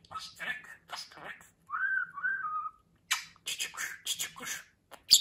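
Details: Talking pet budgerigar utters a string of harsh, speech-like syllables, a smooth wavering whistle partway through, then fast clipped word-like chatter ending in a sharp high note.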